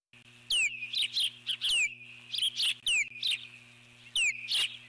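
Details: Nesting eagle alert-calling at an intruder flying by the nest, July 2014: sharp descending whistles that drop into short chittering bursts, about one call per second, with a constant low hum underneath.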